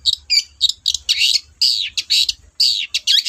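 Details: Lively long-tailed shrike song: loud, harsh, high chirps and downslurred squeaky notes delivered in quick, uneven bursts of about one per second, over faint low hum.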